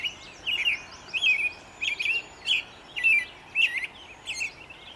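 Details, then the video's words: American robin singing in early morning sun on 11 May 2013: a steady run of short warbled, caroling phrases, each slightly different, given about every half second over a soft, even background hiss. "American Robin singt in der Morgensonne"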